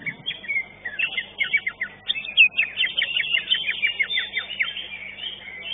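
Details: Greater green leafbird in a singing competition at Legok Permai, finishing second: varied, energetic phrases of whistled slurs and rapid chirps run almost continuously, with many other birds audible underneath.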